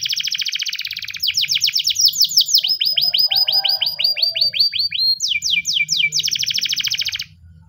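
A Spanish Timbrado canary sings a continuous run of high, metallic rolling trills, shifting every second or so between fast clicking tours and sweeping whistled notes.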